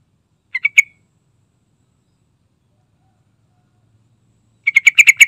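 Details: Yellow-vented bulbul with a short three-note bubbly phrase ending in a slurred whistle, followed after a pause by a quick run of five or six chattering notes.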